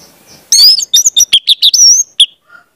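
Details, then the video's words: Orange-headed thrush (anis merah) song used as a lure/training recording for young birds: a quick, varied burst of high, clear whistles and twitters under two seconds, with sliding notes and a final sharp chirp. "pancingan anis merah"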